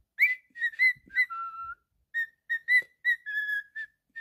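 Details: Pet cockatiel whistling a song: a run of short clear whistled notes near one pitch, some slurred upward, one longer steady lower whistle, phrases broken by brief pauses, no other sounds.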